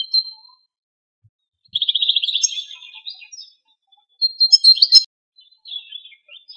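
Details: Free-living male European goldfinch in Greece, filmed in strong wind, sings bursts of high liquid twitters, a fast buzzy trill, and sharp bright chirps, separated by short pauses.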